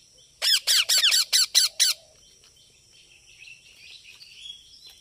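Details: Rapid volley of seven loud, rasping squawks from a baby parrot, followed by faint, scratchy chatter in the background.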